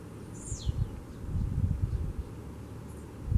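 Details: Blue-black grassquit outdoors in nature giving a single sharp, high buzzy note that slides steeply down, set against a strong low-pitched background rumble.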